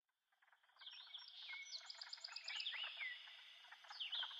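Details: Light-vented bulbuls feeding baby birds in the nest give a busy run of high, squeaky chirps and short whistled slurs, several voices overlapping with hardly a pause.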